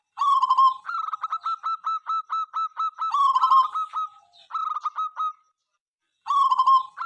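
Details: Zebra dove of a local strain, heard singing morning, noon and night; rolling coos alternate with long runs of short staccato notes, phrases overlapping as if more than one bird is answering.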